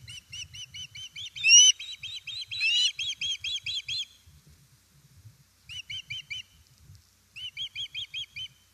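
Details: Osprey at its nest in Estonia, 1 September 2019 near 17:07, when fish is brought: even, quick series of high chirps with two louder squealing notes, broken by short pauses and resuming.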